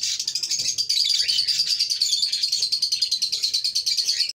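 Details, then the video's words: Cockatiel chicks producing a continuous stream of fast, rasping, high-pitched pulses, repeated several times per second with a steady, slightly wavering tone. "TALKING COCKTAIL CHICKS | COCKTAIL SINGING"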